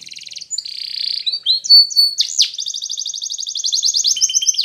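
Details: Spanish Timbrado canary, a yellow canary, singing a song for training: bright high metallic rolls and rapid trills, a buzzy sustained section, then a long even pulsed trill repeated about four times per second.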